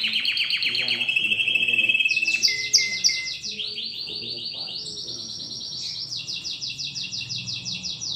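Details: Caged domestic canary being trained, singing a varied song of rapid trills that step between pitches: rolling low phrases, a higher sharp section, then a long run of fast, evenly repeated falling notes.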